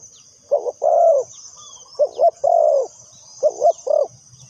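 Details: Lure spotted dove kept for trapping wild birds, calling soft hollow coos: short stuttered notes leading into a long sustained coo, three phrases, over a continuous shrill background whine.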